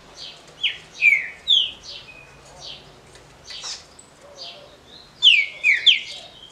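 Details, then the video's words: Short smooth Paraná-style song of a caged green-winged saltator trained for competition: loud, slurred whistles mixed with softer high chips, ending in a quick cluster of sharp, descending notes. "TRINCA FERRO DE CANTO CURTO LISO PARANÁ (CANTO PRA RODA)"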